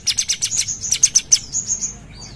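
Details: Brief burst of quick, high chirping notes from a Sumatran bulbul, fading into a thin sustained whistle and a faint slurred note.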